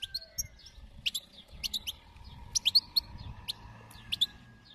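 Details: Wild European goldfinch giving short, sharp, high chirps, singly and in quick pairs or triplets, spaced irregularly across a few seconds, with a faint steady hum behind.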